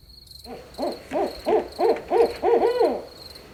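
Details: Barred Owl hooting at night: a quick run of about seven hoarse, arched hoots, each rising and then dropping, coming faster and louder toward the end, over a steady thin high whine like an insect throughout.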